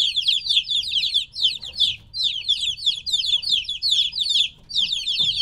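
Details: Chicks roughly three weeks old call after separation from their mother: bursts of shrill down-slurred peeps in quick runs, broken by short pauses near two and four and a half seconds.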